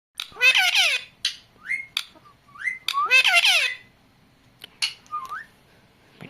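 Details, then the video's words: Pet talking parrot giving harsh, loud squawks with wavering overtones, broken by short rising whistled notes and brief clicks, in bursts about once a second. "New talking parrot"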